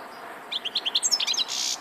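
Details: European goldfinch song: a quick run of clear, bright chirped notes about eight per second, rising into higher tinkling twitters and ending in a short buzzy rasp, over a soft background hiss.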